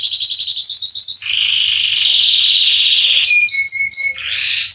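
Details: Male Belgian canary singing as a warm-up for canaries: fast high trills, a long buzzy steady phrase, then short pure whistles and a rising rolled ending.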